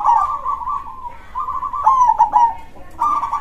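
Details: Loud 'dor krosing' song of a local zebra dove (perkutut): continuous trilled cooing with a short gap, then a cluster of emphatic, downward-bending notes, and a fresh trill starting near the end.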